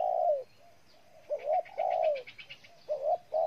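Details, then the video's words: Low, mellow coos of a spotted dove in Ninh Thuận, Vietnam: a long falling coo, then a warbled short note and another drawn-out coo. Faint rapid high chirping from another bird runs behind. "Cu gáy Ninh Thuận"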